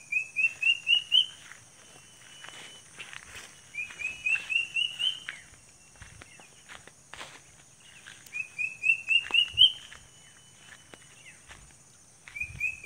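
A Sunda cuckoo gives a quick run of about six high, whistled notes climbing in pitch, repeated every four seconds over a steady insect drone.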